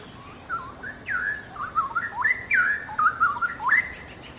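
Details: Vigorous gacor song of a cucak rowo, or straw-headed bulbul, used to tutor other birds: a bubbling run of mellow whistles that starts softly, swells into rising, slurred notes, and ends with sharp upslurs.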